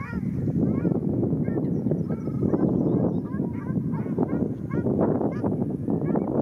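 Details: Ruddy shelducks quarrelling at Arucas, Gran Canaria, in February 2021, giving repeated short nasal honks with bent harmonics, partly buried under continuous loud splashing and wing noise.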